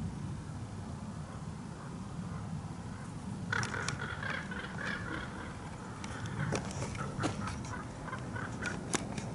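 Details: Large male common raven clacking: a loose series of faint, sharp, dry clicks and knocks that are irregularly spaced and come in short clusters, heard against a steady low rumbling background.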